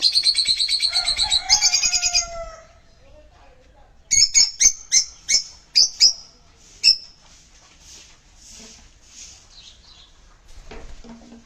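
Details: Pet sun conure chattering in a harsh pulsed burst, then after a pause six sharp, loud screeching squawks spaced roughly half a second apart, followed by softer faint chirps and quiet.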